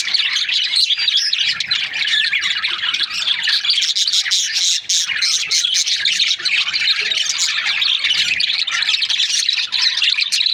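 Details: A long, busy stretch of budgerigar chatter from breeding pairs: endless high chirps, warbles and scratchy squawks overlapping steadily, with only a momentary dip midway.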